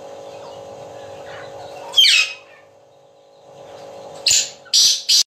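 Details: Black francolin calling at night: a loud grating note, a pause of about two seconds, then a quick series of three rasping, harsh notes, with a steady background hum.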